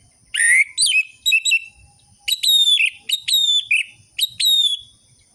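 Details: Orange-headed thrush singing, offered as a lure to rouse quiet captive birds. A rising whistle and quick chips lead into a string of clear, level whistled notes repeated at short, steady intervals.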